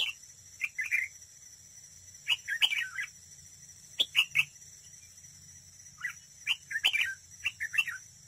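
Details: Competitive singing by a decoy red-whiskered bulbul at a trap. Clusters of rapid, bright, warbling chirps come in three bursts, each a few notes long. There is a continuous high-pitched drone behind the bird.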